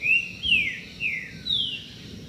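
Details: A melodious green-winged saltator song meant to attract mates and hold territory: four rich, slurred whistles, the first rising then falling, the rest gliding down, delivered in under two and a half seconds.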